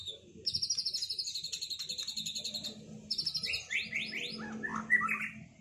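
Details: White-rumped shamas past their moult singing in a duel to rebuild performance: high rapid rattling trills in bursts, then a series of rising whistled sweeps and short warbles, over a steady low hum.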